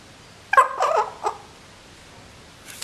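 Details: Common hill myna kept as a pet, practising speech at 11 a.m. on 24 July 2015; a short mimicked phrase of three voice-like syllables with harmonic bands, then quiet.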